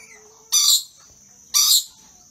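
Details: Two harsh, high-pitched screeches one second apart from an excited, dancing pair of rainbow lorikeets, each burst about a quarter second, with a faint steady high whine between.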